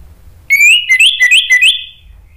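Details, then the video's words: Lure song (pancingan) of an Orange-headed thrush, played to make silent thrushes start singing: a rising whistle opens a run of rapid, rhythmic rising-and-falling whistled notes, about four in a row, then a fading tail. "bikin ANIS MERAH lain jadi ikut NYAUT NGEPLONG ¦ PANCINGAN AM ¦ TERAPI MACET"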